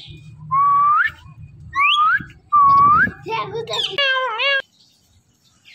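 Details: Indian ringneck parrot talking: three rising whistled notes in a row, then quick squeaky speech-like syllables ending in a nasal wavering call, with a low hum in the background.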